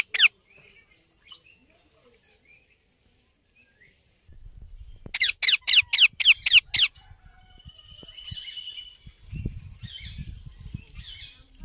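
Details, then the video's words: Baby Indian ringneck parakeet: a single sharp high squawk, then a quick burst of about six harsh, scratchy calls in a row, followed by low rustling and handling noise with a faint buzzy tone. "Cute Baby Parrot Natural Sounds"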